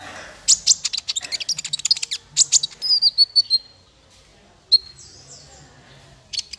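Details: Male konin sunbird song for training songbirds: a fast, chattering string of high chirps, then a pause broken by single thin, descending whistles and a final note.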